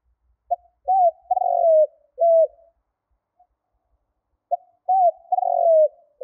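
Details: A spotted dove lure call is given twice, about four seconds apart. Each phrase has a brief note, a rising coo, a long trilled croo that falls, and an ending coo. Nothing else is heard.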